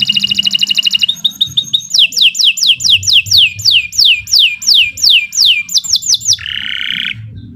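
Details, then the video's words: Canary (kenari) singing in a master recording for bird training: a quick rattling trill, then a long series of falling whistled slurs, about two per second, ending in a buzzy note. "Kicau Burung Kenari 106 II GACOR PANJANG"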